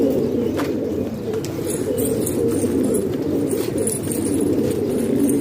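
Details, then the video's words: Domestic pigeons from Pakistan kept inside a house, continuous soft cooing from several birds, throaty rolling notes blending into a steady murmur, occasional taps. "Pigeon Sound"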